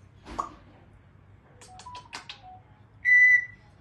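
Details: A pet male African grey (Congo) parrot talking with its owner gives a brief voice-like sound, a run of quick clicks and short tonal notes, then one loud, clear whistle held for a moment.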